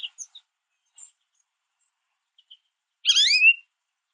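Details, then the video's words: Small group of American goldfinches feeding at a backyard mesh feeder on sunflower seeds; scattered faint high notes, then one loud, complex chirp sweeping up and down near the end. "Goldfinches Chirping at The Bird Feeder"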